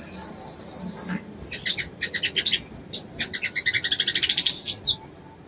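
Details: Ruby-cheeked sunbird, a female calling the male to stir his mating urge: an opening second of fast, thin, even trilling, then bursts of sharp high chirps in quick series, ending with a brief rising-falling whistled note.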